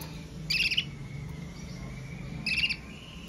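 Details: Red Mosaic Agate canary singing: two short, bright chirping bursts about two seconds apart, joined by a thin steady whistled tone, over a low background hum.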